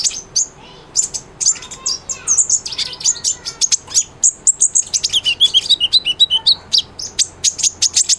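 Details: Lively sunbird singing hard, used to train a white-rumped shama: a long stream of rapid thin chips and tweets, some buzzy, delivered at nearly four notes per second with brief twittered phrases.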